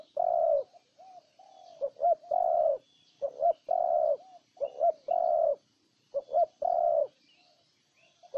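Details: Spotted dove from Ninh Thuận, Vietnam, giving low hollow coos in a repeating phrase: short clipped notes and then a longer drawn-out coo, with the pattern repeated several times and short pauses between phrases.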